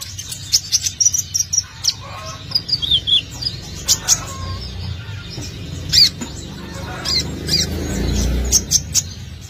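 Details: Sunbird in energetic song, played as a lure to attract birds: a run of sharp, high twittering notes with a few descending slurred whistles, then scattered chirps over a low rumbling background.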